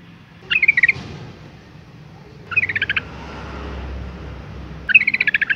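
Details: Bubbly, rapidly pulsed chatter from a female yellow-vented bulbul calling to make males sing. It comes in three bursts roughly two seconds apart, and the last burst is the longest.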